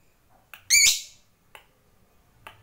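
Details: Lovebird kept as a fighter bird giving one loud, rasping squawk that fades quickly, framed by faint clicks before and after.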